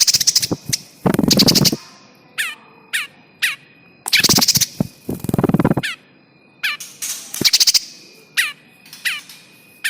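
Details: Lure recording of a caught bar-winged prinia for trapping birds: fast, harsh rattling bursts alternate with scattered sharp, high chipping notes, some bursts dense and buzzy, repeated every few seconds.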